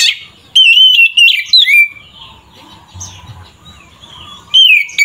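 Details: Kacer, the Oriental magpie-robin, singing to rile other magpie-robins: clear rich whistles with rapid chirps in the first two seconds, a pause with faint background, then the loud whistling resumes near the end.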